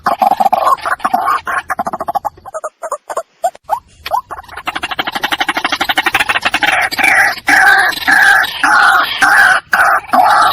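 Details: White-breasted waterhen calling loudly in fast repeated nasal pulses, a rhythmic harsh chatter that pauses briefly, then resumes in steady croaking bursts, strong and close.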